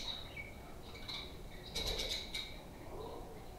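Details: Amid quiet warbling, playful pet budgerigars break into a short burst of rapid, clicking chirps before settling back to soft chatter.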